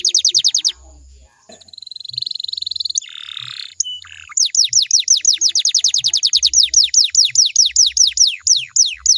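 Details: Canary song played so listening canaries join in. It opens with rapid falling notes, then a buzzy rolled trill and a harsh burst. A long, steady series of repeated downslurred whistles follows, with soft low knocks in the background.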